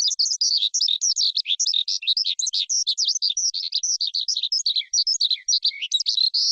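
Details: An unbroken, dense stream of skylark song, high twittering and warbled notes tumbling rapidly one after another with hardly a pause, clean recording without other sounds.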